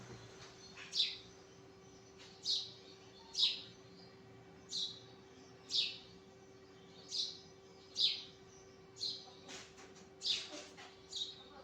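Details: Sparrow chirping in the morning: bright, short cheeps repeated about every one to one and a half seconds in an even series, each note sharp and high, over a steady faint low hum.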